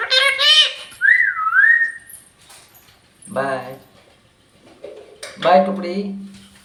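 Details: A pet parrot that says bye gives a short, high, voice-like harmonic call, then a clear whistled note that dips and rises. Two lower human voices follow, one after a pause and one near the end.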